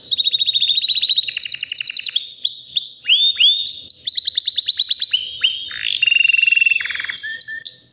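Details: White canary about three years old, caged and healthy, singing powerfully without pause: fast trills of repeated notes, rolling chattering runs, and sharp upward-swept whistles shifting between high and very high pitch.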